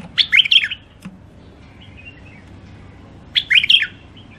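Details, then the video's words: Wild-caught caged songbirds from the Mandali border area, offered at a Baghdad bird market; two bright, quick warbled phrases about three seconds apart, with a low background hum between them. "تغريد مخاليف وحشيه كاع منفذ مندلي طيور نظيفه وصوت صافي"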